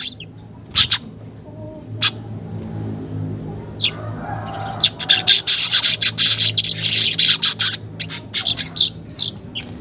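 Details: Weaver song, played as a lure to make caged weavers sing quickly, unedited: a few scattered sharp ticks first, then from midway a dense, buzzy, sizzling chatter of rapid harsh notes lasting to the end, with a faint low hum underneath.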